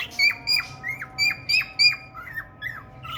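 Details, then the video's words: Singing for a female budgie with red eyes, a male cockatiel repeats loud, quickly descending whistles about three times a second, then trails off into quieter lower curved notes. "male cocktail parrot love story with red eyes budgie female"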